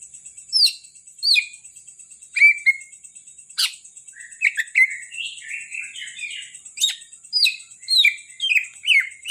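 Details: Greater green leafbird of the Kalimantan type, a kept songbird, giving a lively varied song of clear whistled notes, sharp downslurred chips and short warbled runs, phrases coming every half second or so, with a steady high electronic whine behind.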